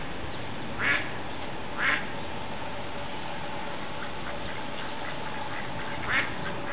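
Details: Mallard at a village duck pond with a dozen new ducklings: three short, nasal calls, two about a second apart and one after a pause, over a steady hiss of background noise.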